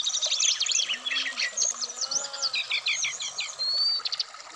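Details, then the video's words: Caged Black-throated laughingthrush, Indonesia, singing a dense, varied phrase: scribbled high twitters, a row of about six quick repeated notes, then a thin clean whistle and short chips. "terapi srdc biar cepat bunyi wikplong Dan gacor full variasian"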